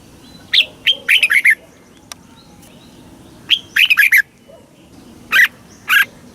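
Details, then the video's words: Thai caged red-whiskered bulbul singing southern master-style phrases meant to rouse caged birds and teach young ones: scattered short chirps and bursts of warbled notes, with two separate single calls near the end and a faint click. "เสียงนกกรงหัวจุก สำหรับต่อ หรือ เปิดให้นกคึก เสียงเพราะๆ"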